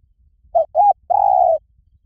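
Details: Spotted dove call used to lure wild doves: two short clipped coos followed by a longer, steady, slightly falling coo, clean and loud with a quiet background.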